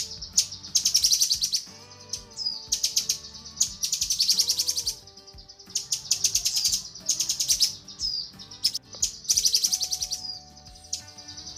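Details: Female cucak kinoi calling for the male, a training track: repeated bursts of intense, high, grating chatter roughly every two seconds, with thin sliding whistles between them and a quiet, low, steady background drone.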